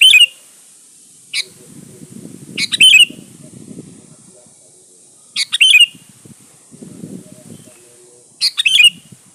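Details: Sooty-headed bulbul singing briskly, used as a lure recording: four quick chattering phrases with a bright whistled finish, spaced irregularly; soft low rustling and murmuring sounds fill some gaps.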